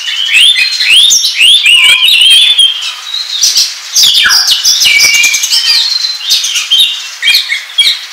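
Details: Oriental magpie-robin song played as a trapping lure, opening with a string of looping whistled slurs, then harsh chattering notes, quick chips and a steady whistled note, rich and continuous.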